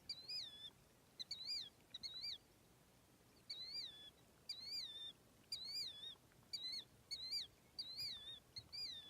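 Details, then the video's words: Wild birds at Alvord Hot Springs, Oregon, giving repeated high chirps: each a sharp rising-then-falling whistled note with a wavering tail, arriving in pairs or singly about every second, over quiet open-air background. "Chirping birds"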